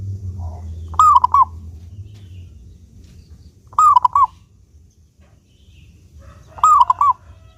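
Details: Clear-voiced local zebra dove cooing, used as a lure so doves sing often; three identical phrases about three seconds apart, each a rising coo followed by two or three rapid rolled notes, over quiet low hum.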